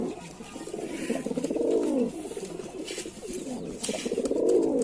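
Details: Lalsara pigeon giving deep, bubbling coos that rise and fall in arching phrases about a second long, steady and close, with light background clicks.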